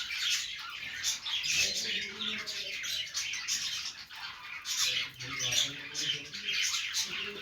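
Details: Playing budgies make happy sounds: overlapping high chirps and rasping warbles pour out without pause, swelling in short louder pulses about every second, with faint low murmurs beneath.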